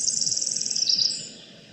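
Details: Pacific wren from the Pacific Northwest coastal rainforest: a short burst of very high, fast, evenly pulsed trill notes running into a thinner twitter, then fading out.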